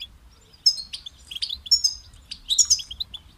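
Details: Goldfinch singing a sparser series of bright high chirps and brief liquid trills, notes spaced irregularly with short gaps, over a faint low hum.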